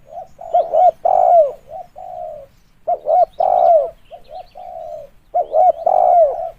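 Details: Spotted dove cooing, recorded for luring: mellow low phrases repeated roughly every two and a half seconds. Short stuttered hoots build into a strong, sliding coo, then a quieter trailing note.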